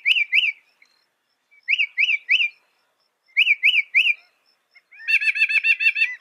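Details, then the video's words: Northern mockingbird (Mimus polyglottos) singing loud, fast phrases: clear whistled notes in groups of two or three repeated in short bursts, ending in a quick series of about ten chirped notes. "Masteran Burung Kicau Mockingbird Gacor - Mockingbird Bird Sound"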